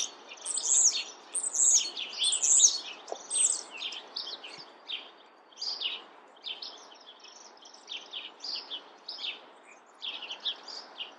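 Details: Chestnut-backed chickadee calling: bright, very high chirps in quick clusters, roughly one burst per second at first, then a softer run of thin high notes, with a faint steady background hiss.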